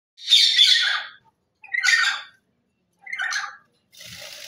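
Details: Lory parrot giving three harsh, buzzy squawks, each about a second long and separated by short pauses, with the last one fainter and noisier.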